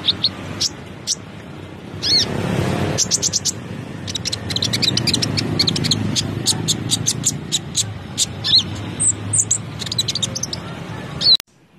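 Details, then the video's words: Konin in vigorous full song ('gacor'), bursts of sharp high chirps and short whistled notes over a steady low rumble, with a brief noise burst near the middle and an abrupt cut at the end. "KONIN SUPER GACOR"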